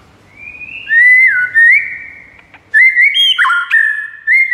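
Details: White-rumped shama giving long, pure whistled notes that glide and waver, then a short pause and a second burst of clear, shifting whistles.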